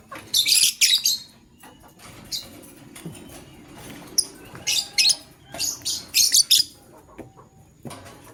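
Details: Male lovebird courting a partner: rapid runs of harsh, piercing chirps in dense clusters, separated by a softer quiet stretch.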